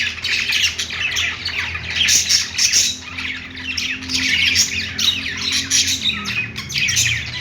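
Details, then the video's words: Several budgies playing produce harsh, grating squawks mixed with quick chirps in repeated swelling bursts, with a faint low droning tone in the background. "budgies playing sounds | parakeet chirping sounds"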